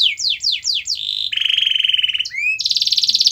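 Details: Canary song played to prompt a quiet canary: several falling slurred whistles, a sustained pulsing buzzy trill, a rising note and a bright rapid trill, with low background rumble.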